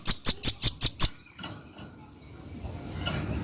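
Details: Seven crisp, piercing high chips from a velvet-fronted nuthatch packed into one second, then near silence with faint distant twitters.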